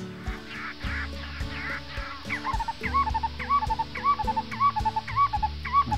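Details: A distant Black-collared Barbet pair duetting down by a river, one bird high and one lower: looping, bubbly whistled phrases repeated about twice a second, over steady low droning tones.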